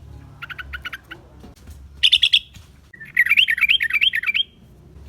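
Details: Sooty-headed bulbul singing energetically, used as a lure call for wild birds: faint pulsed notes, a short loud burst, then a long rippling, wavering warbled phrase over a low background rumble.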